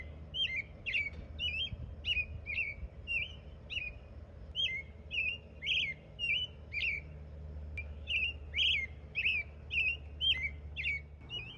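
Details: American robin at Palisade State Park campground in Utah, a bird that chirps all day: a long steady series of sharp, high, slurred chirps, about two per second with brief pauses, over faint low hum.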